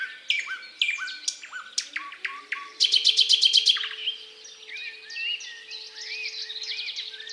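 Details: Thrush nightingale recorded 8 May 2022, singing on while a siren sounds: loud varied strophes of sharp notes and whistles, then a rapid ringing trill of about ten notes, then looping whistles over the siren's low steady drone.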